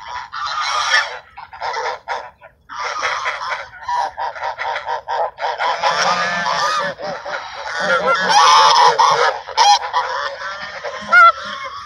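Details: Ducks being fed at sunset in a park give loud, nasal, honking quacks that overlap in a dense, excited chorus, with higher squeaky notes near the end.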